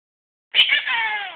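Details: A pet male Quaker (monk) parrot, one and a half years old, gives a high, harmonic, slightly falling utterance, mimicking the word peekaboo.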